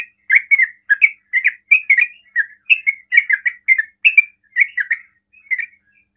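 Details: Yellow-vented bulbul giving its fastest ropel song to provoke nearby bulbuls into answering, a busy string of bright gurgled notes in quick pairs that slows and fades toward the end.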